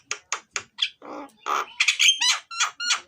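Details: Black-winged starling singing: a rapid run of harsh squawks and a rasping buzz, then clear, ringing whistled notes with sharp attacks. Recorded for use as a lure.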